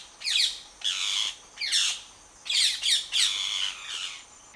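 A parrot gives a run of harsh, raspy squawks in quick bursts.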